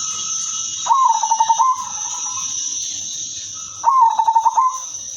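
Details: Melodious female silver zebra dove, a lure bird for other zebra doves, repeats a throbbing coo of rapid pulses twice, three seconds apart, over a loud steady high-pitched whine.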